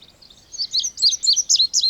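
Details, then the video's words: Indigo bunting (Passerina cyanea) song: after a quiet start, a brisk series of high, bright, paired chirps and slurs, each sharp burst close on the next, against a soft hiss. "Canto do Bandeira Índigo ou Estamenha Índigo"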